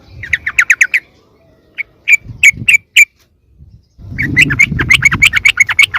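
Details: Sooty-headed bulbul lure call, used to draw wild birds closer: bursts of quick, bubbly chirping notes in rapid series, a pause, then scattered single chirps and another fast chattering run over low rumbling background noise.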